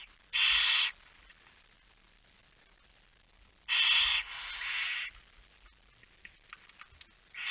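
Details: Barn owl at its nest during feeding at 22:45 on 10 September 2019: a loud rasping hiss, a pause of about three seconds, then a double hiss, followed by quiet with faint scratches and clicks.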